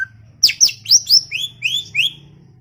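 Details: Greater green leafbird delivering a brisk chattering phrase: several very high sharp notes in rapid succession, then three longer rising whistles, with faint low hum.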